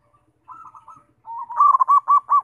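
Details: Zebra dove singing, meant to provoke other doves to sing: a quiet rolling phrase, a pause, then a soft rising lead-in building into five loud, rhythmic cooing notes.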